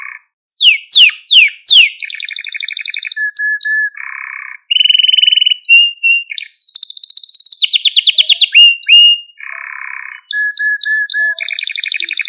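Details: ['Malta canary singing to rouse canaries: descending whistled sweeps, low buzzy notes, a bright steady trill, a long fast high rattle, then further low buzzes and short whistles.']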